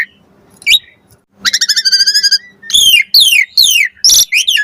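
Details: Asian pied starling song used as a lure to get starlings to answer; a quick stuttered buzzy trill followed by several loud descending whistled slurs and a harsh burst.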